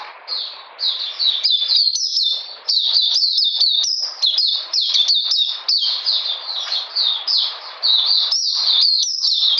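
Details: Cold, rainy day on 13 June 2020 with an Oriental magpie-robin pouring out a long, continuous song of crisp, slurred high notes in rapid succession, barely pausing.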